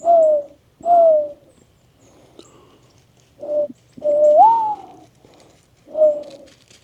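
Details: Mourning doves back on a property in the Ouachita Mountains after a quiet period: soft, low, hooting coos, each gently falling, one swelling upward then sliding down, spaced about a second apart in still woodland.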